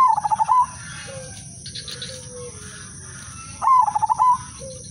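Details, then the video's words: A zebra dove of the silver udanmas line sings two rolling, bubbling coo phrases of fast pulses ending in a longer note, with faint low notes from another bird between. "perkutut/merbok udanmas silver irama merdu spesialis pancingan bikin semua perkutut ikut manggung"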